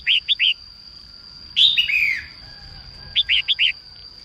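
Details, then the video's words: Morning singing of a female red-whiskered bulbul meant to spur newly caught birds to sing: triplets of crisp notes bracketing a loud descending warbled phrase, against a faint steady high hum. "Chim chào mào mái hót sáng kích bổi nhanh ra giọng"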